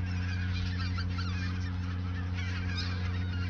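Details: Geese massed in the Ochsenmoor nature reserve, autumn 2022, a few days ahead of migration south, honking together in a thick overlapping chorus with a few louder calls standing out, over continuous low hum.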